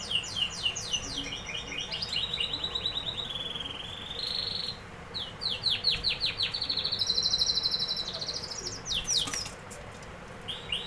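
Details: Singing canary delivering fast rolling trills and buzzy repeated phrases, one held rising-falling note in the middle, then bursts of sharp descending sweeps near the end.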